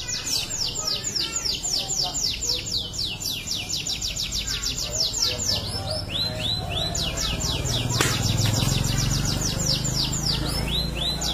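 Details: Canary singing long, lively song: a steady run of high, falling whistled sweeps, several per second, with brief sharp notes. A constant low hum and rumbling background noise run underneath.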